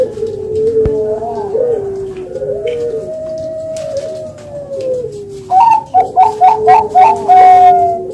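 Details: Spotted dove cooing: low, mellow, wavering coos that slide up and down, then a louder series of short, choppy coo notes near the end, with some faint higher background sounds.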